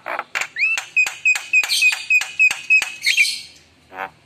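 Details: Javan myna in full song rich with fills: a sharp steady whistled note repeated about four times a second over buzzy harsh notes, ending in a grating burst and a quieter rasp.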